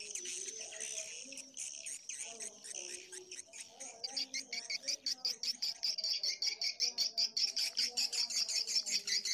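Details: Edible-nest swiftlet sound mix combining colony calls and mating calls, the call part turned down. Buzzy chirps near the top of the range give way to a steady run of rapid clicking pulses, about two or three a second, over faint low tonal notes.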